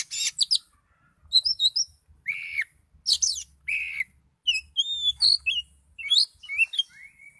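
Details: Oriental magpie-robin, a kacer in gacor form, singing with high agitation: varied loud whistles, buzzy bursts and rapid chirps with fluttering swoops, delivered in quick bursts separated by short pauses, faint low thumps beneath.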